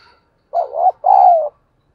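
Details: Dawn cooing of a spotted dove, two low hollow notes: a first slightly wavering coo, then after a short gap a longer, steadier coo that eases downward as it fades, with no other sounds.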